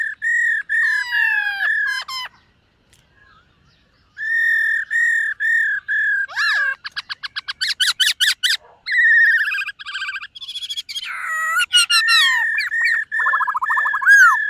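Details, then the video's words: Silver-eared laughingthrush in morning voice training, giving a long varied song: steady whistled notes in series, sweeping slurs, rapid trills of short clicking notes around the middle, and fast descending and rising flourishes toward the end. "Khướu BẠC MÁ hót MÚA luyện giọng . Khướu hót sáng luyện giọng kích bổi"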